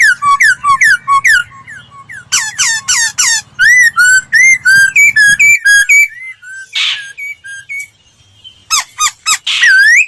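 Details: Laughingthrush singing as a training lure for other birds: rapid runs of short whistled notes and rising-falling slurs for several seconds, a brief pause, then a single harsh burst and a few sharp upward whistles.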